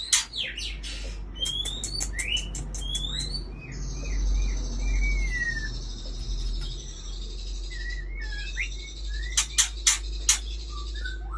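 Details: Aceh white-rumped shama, a breeding bird, mixing sharp clicks with short rising whistles and a sustained high buzzy tone, then more clicks and quick whistled notes over background hum.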